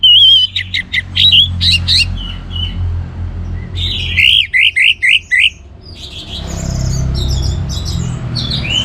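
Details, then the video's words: Orange-headed thrush, a kept songbird from northern Bali, singing loud varied phrases: a whistled opening, then rapid chirpy notes, a quick burst of sharp repeated notes near the middle, and high twittering toward the end. "ANIS MERAH Gacor Untuk Memancing Burung Jadi NGeplong Bahkan Teler"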